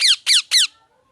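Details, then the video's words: Three strident, raspy parrot squawks, evenly spaced roughly a quarter second apart, each sliding downward in pitch, from a pet bird indoors with near silence afterward. "Parrot Chirping Sounds | Natural ParrotSounds | Parrot Calling Sounds"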